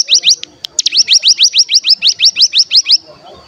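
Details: Rapid series of about fifteen rising, high-pitched whistled notes from a mountain tailorbird (cigun), used as a lure to get other birds singing, ending abruptly in near silence.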